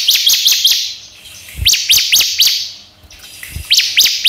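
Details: Bar-winged prinia (ciblek) song used to lure other prinias into calling: quick bursts of three or four sharp, high chirping notes, each burst repeated after a short pause, against a quiet background.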